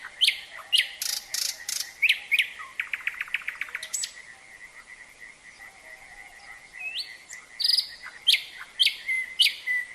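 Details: Common Nightingale singing with frogs in a natural setting: varied bursts of sharp repeated notes, a fast dry rattling trill, and clear whistles, separated by short pauses, over a steady pulsing frog chorus running throughout.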